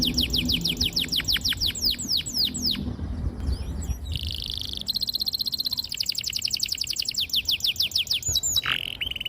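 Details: Long, sharp canary song for teaching young canaries: a run of quick downslurred whistles, then buzzy and rolling trills and a final steady high note, with soft low background noise.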